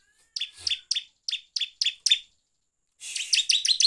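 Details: Bar-winged prinia song, in the lively 'gacor ngeplong' style, used as a lure to rile up other prinias: seven sharp, high, downward-sliding chirps about a third of a second apart, then a short dense burst of rapid jumbled notes.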